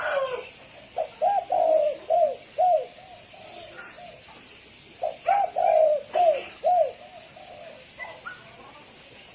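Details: Spotted dove performing the 'sấm chuông' call meant to stimulate males and females. Two full phrases of low, resonant coos, each about four notes with the longest in the middle, are separated by a short pause, with faint background clicks.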